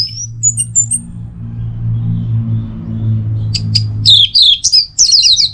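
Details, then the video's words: Teler-style song of an orange-headed thrush from Singaraja, North Bali: a few thin whistles, a quiet stretch with low hum, then a rapid, dense burst of high, sliding whistled phrases. "Masteran sekaligus Pancingan Burung ANIS MERAH Agar Selalu Bisa Menikmati Telernya setiap saat"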